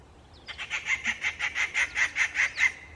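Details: Rufous treepie on a bird watching trail at Rajaji Wild Trail, Rajaji National Park, giving a rapid series of about eleven harsh, evenly spaced notes over two seconds, with faint voices before and after.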